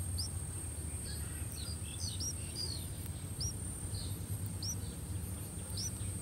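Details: Three-day-old streak-eared bulbul chicks in a nest in a water jasmine tree in front of a house, fed by both parents: thin, high upslurred chirps repeated irregularly, sometimes in quick pairs, over a low steady hum.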